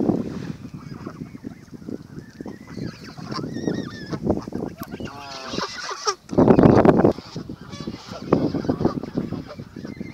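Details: Canada geese being fed at Thames Eyot: low nasal honks and grunting calls from a crowd of birds, with a loud splashing burst in the middle and faint higher calls in the background.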